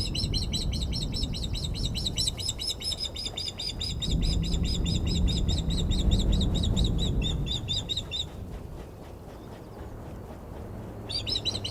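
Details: Agitated female osprey on the Glaslyn nest, 14 April 2021, reacting to an unringed male landing on the perch: a long, rapid stream of piercing whistled chirps for about eight seconds, a pause, then the calling resumes, with low background rumble.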